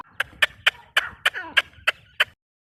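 A grey francolin, likely a female, gives eight loud, harsh, clipped notes, evenly repeated about three per second. A faint sliding whistle sounds in the background.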